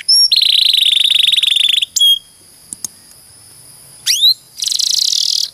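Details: Canary singing in a training recording for other birds: a long rapid buzzy roll, brief clicks and pauses, a rising-then-falling sweep and a closing high rattle.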